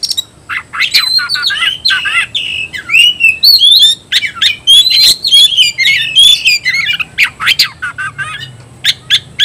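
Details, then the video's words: Oriental magpie-robin singing its fighting song to provoke rival magpie-robins: a rapid, sustained stream of varied whistled and chattering notes, about three to four per second, mixing clear slurs with rough buzzy elements. "KICAU KACER TARUNG"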